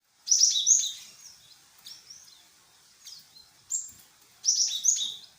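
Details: Great tit lure call, meant to make other birds answer: high, clear whistled phrases of two or three quick notes, some slurred and dropping, given in bursts about a second apart with short quiet gaps, over a silent background.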